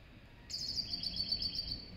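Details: Song of a serin × goldfinch hybrid: a quick, high, sparkling trill of rapidly repeated twittering notes lasting about a second and a half, with low background hum.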